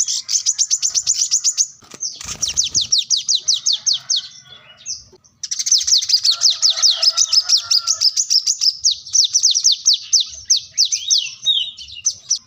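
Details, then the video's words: Plain-throated sunbird (wiceh, kolibri kelapa), singing eagerly in search of an opponent as a training master. It gives repeated high swooping notes in quick runs, interrupted by a brief noisy thump and a pause before the next long burst. "kolibri kelapa | wiceh | manggar | korlap gacor mencari lawan buat pancingan / masteran burung bahan"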